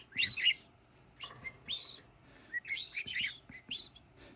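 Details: A pet budgerigar whistles along as a man whistles the Mexican Hat Dance, giving bursts of bright, warbling whistles and chirps in quick, scratchy phrases while dancing.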